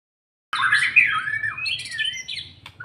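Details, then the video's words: White-rumped shama after its moult, being brought gradually into fighting mood; after a half-second silence, a loud burst of varied whistles and harsh chattering notes that slide downward, then softer scratchy phrases with a low hum beneath. "Meningkatkan secara bertahap emosi dan fighter Murai Batu stlh mabung"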